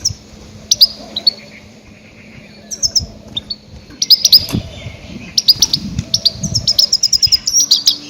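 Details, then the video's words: Goldfinch lure calls for hunting grey-headed goldfinches: scattered high chirps that build into a fast, continuous tinkling twitter over the last seconds, with faint low rustling beneath. "Громкие крики щегла для ловли и охоты на Седоголового щегла"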